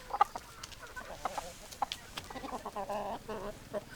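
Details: Several chickens, hens and roosters, clucking at once: sharp isolated clucks early, then a longer drawn-out, harmonic cackle near the end over a noisy, busy background.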